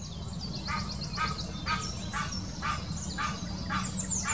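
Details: Egyptian goose mating call, recorded in 2018 in the Wittlicher Senke: a hoarse honk repeated about every half second over steady low rumbling background noise, with high thin chirps from small birds above.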